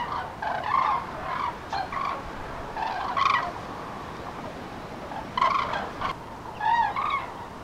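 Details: Common cranes migrating in spring over central France, 5 March 2016, afternoon; loud, rich rolling trumpet calls in bursts of one to two seconds from several birds, with quieter calls between and background noise.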